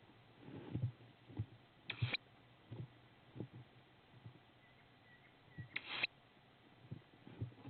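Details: Young tawny owl at a window in Estonia, recorded 8 May 2016. It gives two rasping, hissing screeches about four seconds apart, among scattered low knocks and thumps.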